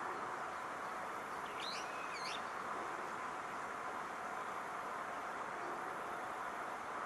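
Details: Brown-eared bulbul in Odawara, Kanagawa Prefecture, Japan, 21 June 2014, giving two quick squealing, swooping notes early on, then only steady broadband rushing noise for the remaining seconds.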